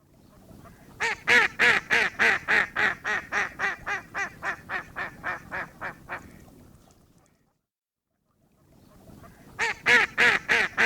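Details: Duck calling in a fast series of harsh, nasal quacks, about three per second, fading out before a short silence, then loud quacking starts again.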